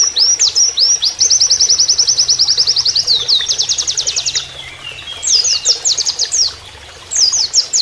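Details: Oriental white-eye singing in canary-like rapid-fire style as a training master, with a long, fast, rattling series of high repeated notes over four seconds, then bursts of sharp downslurred whistles after brief pauses; flowing water underneath.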